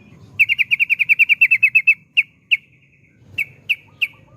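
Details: Yellow-vented bulbul (trucukan) in long rapid 'ropel' trill style: about fifteen quick, bright notes at an even pitch in a rattling run, then four separate spaced notes. Faint low hum underneath.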